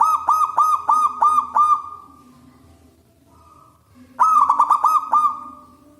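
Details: Local wild zebra dove singing actively with a big, loud voice, used as a lure for doves: a burst of five or six rapid rolling cooing notes, a pause, then another quick rolling series.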